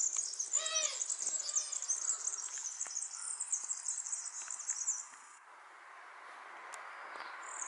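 A European serin sings a fast, high, jingling trill of glassy notes for about five seconds, then falls quiet, with a few other faint chirps nearby.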